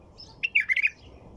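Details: A white-eared bulbul gives a quick melodious phrase, a string of four or five warbled, slightly rising-and-falling notes, crisp and prominent with only faint hiss behind.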